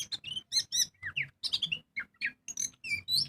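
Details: Oriental magpie-robin song used as a lure for caged birds: short bursts of rising and falling whistles and scratchy chips in quick succession, separated by brief gaps.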